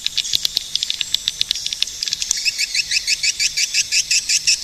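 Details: Swiftlets calling: at first scattered sharp clicks and brief high chirps, then a fast, steady run of bright, high twittering chirps, about three per second, through the second half.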